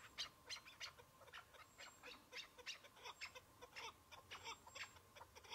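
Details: Chukar partridge, a single bird during a spring partridge hunt among patches of snow at the opening of the season; a fast, uneven series of short, harsh clucking notes repeated about three times a second, with faint high whistles in the background.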